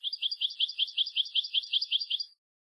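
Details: Tutor-recording song of a European goldfinch meant for young birds to learn: a steady, rapid rolling trill of doubled twittering notes lasting over two seconds, then silence.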